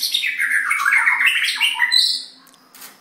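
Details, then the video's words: Three white-rumped shamas singing together: a dense, continuous run of chattering and whistled notes sliding between mid and high pitch, with a faint steady low hum underneath and the song tailing off near the end. "White rumped shama 3x singing"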